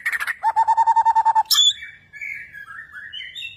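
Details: Energetic Borneo white-rumped shama in bowing display; rapid even trill of about ten low clear notes, a sharp high note, then flowing wavering whistled phrases.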